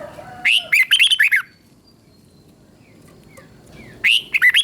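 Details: Red-whiskered bulbul, Thailand, singing a southern master-style song meant to excite other bulbuls and train young ones: a bubbly run of about seven quick warbled notes, a pause with faint calls, then another phrase.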